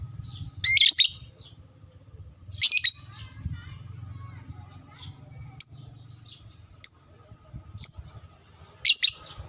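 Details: Fighter-type lovebird, sound used to prompt fast ngekek chattering: shrill rasping bursts alternate with brief high piercing chirps, roughly one call per second, with soft twittering between and a faint low background rumble.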